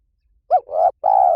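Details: Spotted dove calling, played as a decoy to lure wild doves quickly into any forest; a brief burst of low hooting coos, a short bent note then a longer purring note, clean background.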